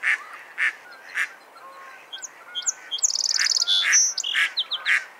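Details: Mallard quacks, harsh and repeated, open and close the passage, while a burst of higher chirping and trilled notes from another bird fills the middle.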